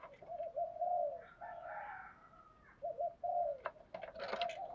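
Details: Decoy spotted dove cooing to provoke other doves, part of its daily calling practice: steady low coos repeated over a noisy background with a higher whistled sound and scattered clatter.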